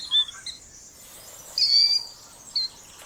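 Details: Killdeer (Charadrius vociferus), a North American plover named for its call, gives shrill, high, piercing notes: two quick short ones, a longer drawn-out cry, then a brief final note, over faint hiss.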